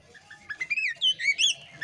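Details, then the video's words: Female Oriental magpie-robin in breeding condition, spreading her tail in display: whistled notes rising and falling around the upper range, a few soft slurred phrases then louder clear whistles, short and varied. "kacer poci betina birahi ngobra buka ekor AMPUH bikin jantan langsung ikut ngobraaa"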